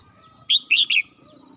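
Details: Red-whiskered bulbul kept at home in the morning giving one crisp three-note whistled phrase, each note clear and sliding, over a faint low hum.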